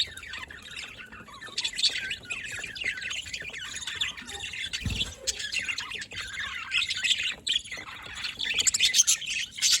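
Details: Pet budgerigars chirping, a dense stream of high, quick twittering notes and squawky chatter that swells and fades without pause, several birds calling over one another.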